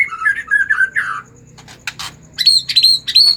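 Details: White-rumped shama singing emotionally to prompt other shamas: fast warbled whistles, then harsh noisy bursts and a few high, sharp, repeated notes.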